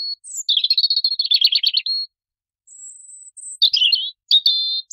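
A European robin sings high, thin phrases: a fast trilled warble, a pause, a sustained high whistle, then quick tumbling notes.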